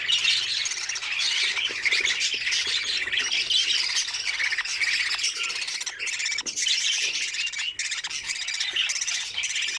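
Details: Nestling budgerigars in an opened nest box, feeding one another and gentle with each other, keep up harsh, raspy squawking and buzzy chatter from many chicks, steady and loud throughout, with a few short gaps.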